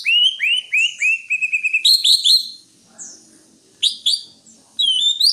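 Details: Song of a greater green leafbird: a series of downslurred whistles repeated rapidly, merging into a steady trilled note and dense overlapping phrases, then brief sharp slurred calls after a short pause.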